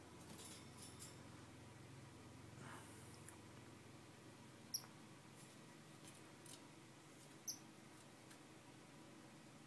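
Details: Star finch (Neochmia ruficauda), call.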